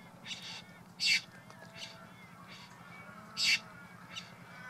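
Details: Male Satin Bowerbird displaying at his garden bower to attract a female: two loud, sharp, hissing bursts about two seconds apart, with softer rasping notes and faint whistles between them.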